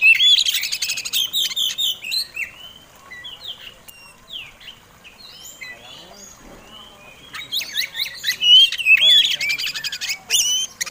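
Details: Fighting song of an Oriental magpie-robin, meant to provoke rival birds: bursts of rich whistled phrases and sharp chirps, a quieter stretch of softer notes in the middle, then a loud rapid flurry again.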